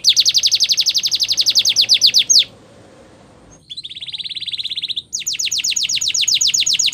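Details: Canary song offered for training: a fast, dense buzzy trill of high notes repeated several times a second, a pause of about a second, then a steady flat trill and another rapid rolling series.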